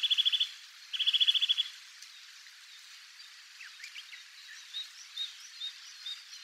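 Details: At Togakushi, Japan, a wild Eurasian nuthatch delivers two quick bursts of rapidly repeated whistled notes. A quieter stretch of sparse, soft chirps and short notes follows.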